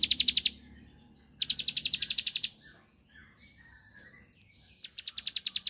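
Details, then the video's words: Bar-winged prinia provoking a rival: short bursts of fast, high clicking notes separated by quieter gaps holding faint softer chirps. "Tembakanny Ampuh Pancing Emosi Lawan //Pasti Langsung Nyaut Gacor"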